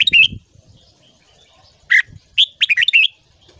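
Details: Red-whiskered bulbul morning song for voice training, ché style for young birds: an opening warbled flourish, a pause, then a loud slurred note and a rapid tumbling phrase of bright whistles over near silence.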